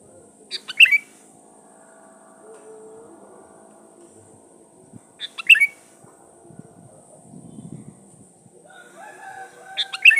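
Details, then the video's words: Sooty-headed bulbul in full song, recorded as a lure for calling rival birds. Three short, bright whistled phrases arrive roughly every four to five seconds over a soft, steady background hum and brief rumbling. "SUARA BURUNG KUTILANG GACOR SATU INI AMPUH BUAT SUARA PANCINGAN"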